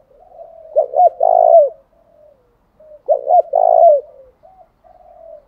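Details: Decoy spotted dove calling to provoke wild rival birds. Two phrases of two short clipped notes followed by a longer throaty coo that drops at the end, with faint murmuring tones between them.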